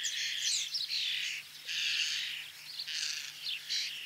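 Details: Common starling calls, recordings of male and female, with harsh, wheezy chatter mixed with squeaky whistles in bursts.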